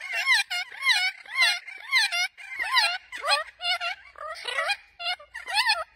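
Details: Spix's macaws (Cyanopsitta spixii), extinct in the wild, calling to one another: harsh, wavering squawks with a rising-falling twist, about two each second, in a back-and-forth exchange.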